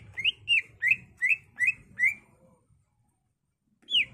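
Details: Greater green leafbird (cucak ijo) singing as a training master: six rising whistled notes in quick even succession, a pause of over a second, then one more loud falling whistle; soft low rumble behind.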